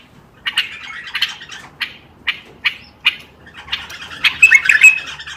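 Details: Bulbul singing in a recording meant to stimulate other bulbuls to sing: a series of short harsh, scratchy bursts roughly every half second, ending in a denser run of chattering notes with a few brief clear whistles.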